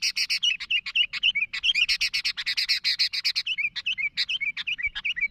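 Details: Sooty-headed bulbul calling to others, described as lively. Fast chattering runs of bright chirps, several per second, changing into spaced whistled notes near the end.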